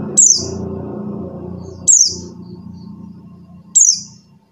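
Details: Buxtoni white-eye call intended to stir mute white-eyes into singing: three piercing, high, downward-sweeping notes, each about two seconds apart, with a soft low hum between them.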